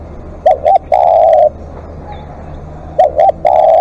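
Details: Spotted dove, a live decoy bird giving long calls: two short hooked coos followed by a long, steady, mellow coo, with the phrase repeated about every two and a half seconds. The background is quiet.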